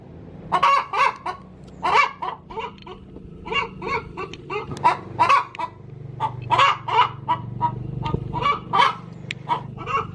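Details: Hen in her coop before laying, cackling in irregular runs of rough clucks over a low background hum and faint room noise.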